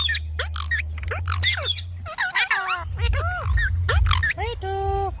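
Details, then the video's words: Talking pet Indian ringneck parakeet producing fast chattering syllables with curved, swooping tones, then slower arched vocal phrases and a closing steady nasal note, with a low steady hum underneath. "Talking parrot video|Ringnek parrot video|Parrot voice"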